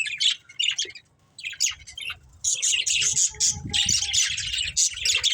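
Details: A group of pet budgies chirps during play and feeding, opening with spaced squeaks, then breaking into continuous rapid high chattering with occasional soft low knocks.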